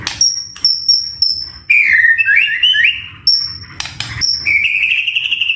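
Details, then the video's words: White-rumped shama in full voice for a lure and training recording with rich fill-in phrases: repeated high pure whistles, then a tumbling warbled phrase and a long, slightly rising whistled note. "Pancingan Murai Batu AUTO NYAUT Langsung RESPON Bunyi - Masteran Suara Burung Murai Gacor Full Isian"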